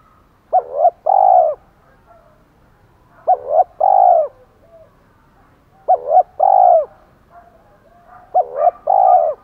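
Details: Decoy spotted dove in thổ pha voice, urging a fight: four coo phrases about every two and a half seconds, each two short hooked notes followed by a long burry downslurred coo.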